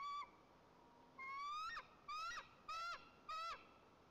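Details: Nest-camera recording of white-tailed eagles in Tatarstan's Nizhnyaya Kama National Park, 30 August, during a fish delivery to the eaglet: a long rising whine then four short upslurred yelping calls at even intervals.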